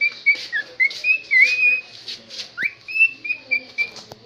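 A cockatiel sings a run of clear whistled notes, some sliding and warbled, repeated in quick phrases.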